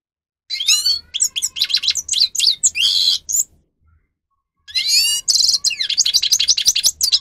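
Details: Tutor song of a grey-crowned goldfinch (Carduelis caniceps) used to train birds: two bursts of tumbling twitter, down-slurred whistles and a buzzy rattle, separated by about a second of silence.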